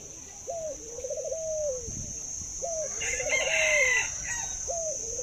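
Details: A pet Thai dove in a cage coos at length. A quick upward note opens each phrase, which then runs into a quavering, laugh-like roll and a drawn-out falling tail. Briefer higher calls from other birds come in the background.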